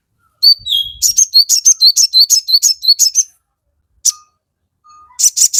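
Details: Crested jay sings a rapid run of high, clipped double notes for roughly three seconds, then falls silent, with a lone squeak and a short burst of the same notes at the end.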